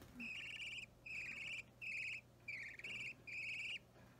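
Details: Baby budgerigar, roughly three weeks old, opaline or normal green, during daily hand-feeding indoors on 30 March 2017, giving five rasping, buzzy begging calls in quick succession, each about half a second, over a steady low hum.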